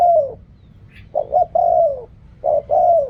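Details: Spotted dove song in the riak kham, khu kham and ok rong styles. A drawn-out falling coo is followed by a clipped double note and another long descending coo, then the phrase starts again.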